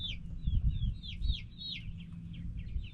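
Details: Noisy backyard chickens, hens and roosters together, give rapid overlapping high peeps that curve up and down, many birds calling at once over a constant low hum.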